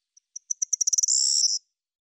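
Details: Common starling giving a short series of sharp high clicks that quicken and merge into a dry, buzzy rattle lasting about half a second, then silence.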